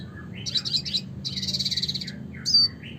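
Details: Red siskin (Spinus cucullatus) in classic song, a few sharp high notes running into a dense buzzy twittering phrase, then a bright short whistle; low hum in the background.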